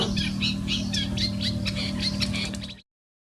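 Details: Marsh warbler, a mimic of many other birds, delivering quick rhythmic bursts of high buzzy notes about four per second, over a low steady hum, ending abruptly in silence.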